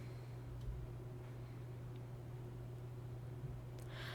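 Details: Steady low electrical hum fills the room with faint rustling and a few soft ticks; no animal calls are heard.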